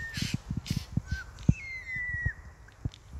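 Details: A vocal group of White-winged choughs (Corcorax melanorhamphos) in Australia gives short whistles and one long, drawn-out, falling whistle over low thumps and rustling.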